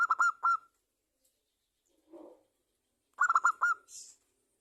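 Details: Champion local zebra dove singing a lure phrase to set other doves calling: a fast rolling burst of coos, silence, a soft muffled rustle, then another quick rolling phrase and a faint hiss.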